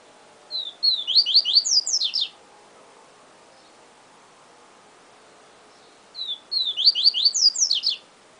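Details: Yellow-bellied seedeater repeating its siu siu song twice, about five seconds apart. Each phrase has short whistles leading into a tumbling burst of high, steeply falling notes, with silence between phrases.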